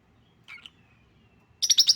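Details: Lutino lovebird making a soft brief chirp, a pause, then a rapid burst of five or six loud, raspy chattering notes in quick succession.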